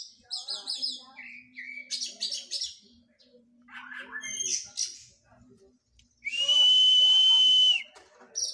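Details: Post-moult Oriental magpie-robin in training, delivering mixed chirps and buzzy bursts, then a long, loud, steady pure whistle lasting over a second, with a faint low hum underneath.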